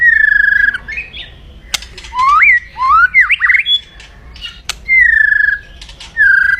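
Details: White-rumped shama in aggressive crackling 'kretekan' song used to provoke rivals. Loud clear whistles alternate with a middle section of swooping, rising whistles and harsh squawky notes.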